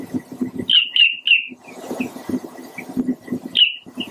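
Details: Pied avocet giving short, clear, downslurred fluty notes in a quick run of three, then isolated single calls, against a backdrop of low, rhythmic knocking noise.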